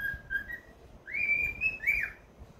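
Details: A happy cockatiel whistles: two short level notes, then a long sliding whistle that climbs and ends in a bent, falling flourish.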